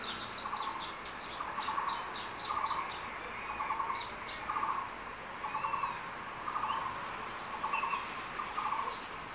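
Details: Crested goshawk at its nest in secondary forest, a male calling to its mate with a freshly caught lizard for her lunch; a steady series of short nasal notes repeated about once a second, with high chirps from other birds.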